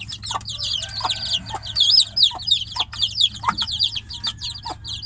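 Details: A group of chicks confined in a cage calls loudly for its mother, who is outside; piercing, downward-sliding peeps overlap thickly, punctuated by short lower chirps, over a low electrical hum.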